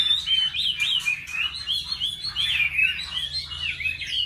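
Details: Oriental magpie-robin in competitive song against bulbuls, laughingthrushes and doves at a home in Hanoi, Vietnam: rapid, varied whistled phrases with clear upswept and looping notes, sung almost continuously with brief gaps, over faint low hum.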